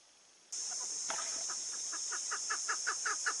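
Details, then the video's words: A female chukar partridge gives a run of short, clucking chuk notes, about five a second, growing louder, over a steady high hiss. "dişi keklik sesi"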